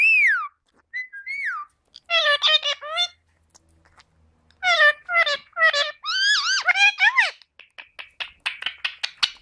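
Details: Indian ringneck parakeets kept as pets talking: a high falling squeal, then bursts of reedy, buzzy word-like phrases with wavering pitch, ending in quick repeated clicks and chirps.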